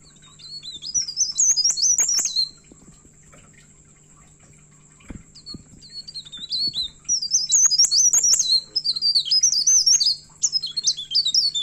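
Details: Myna in agitated song, said to be seeking an opponent: a burst of shrill, rapidly warbled squeaks, a long quiet gap with a single click, then sustained high twittering phrases packed with quick up-and-down notes.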